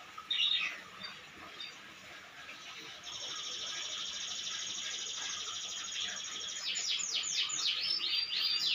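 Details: Canary singing vigorously: after a few scattered high chirps, a long sustained high trill starts at three seconds, then quick descending sweeping notes close the phrase, with faint background noise.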